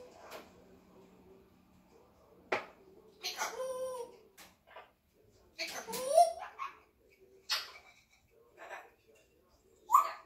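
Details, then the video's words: Red-tailed African grey parrot, 20 months old, kept as a pet, talks indoors in a quiet room: short, irregular bursts of word-like chatter mixed with tonal whistles imitating human speech. "mi loro hablando Yaco de cola roja"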